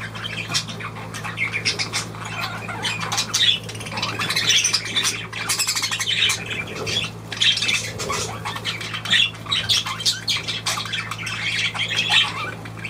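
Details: Budgerigars chattering continuously: a long run of rapid, scratchy squawks and chirps, many overlapping, with a constant low electrical hum behind them.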